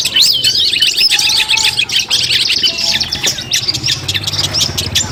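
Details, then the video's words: Long-tailed shrike pre-competition training song: looping whistled phrases and rapid scratchy chirps tumbling over one another, with a faint low droning hum in the background. "masteran kumpulan suara cendet tes mental sebelum lomba"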